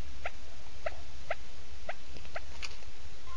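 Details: Quail, male and female calling each other, used as a trapping lure: short sharp chirped notes repeated about twice a second over a steady low hum and hiss.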